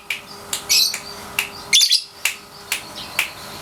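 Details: Young caged lovebird, 3.5 months old, during daily training: sharp, scattered high chirps and short harsh bursts at irregular intervals over a steady background hiss.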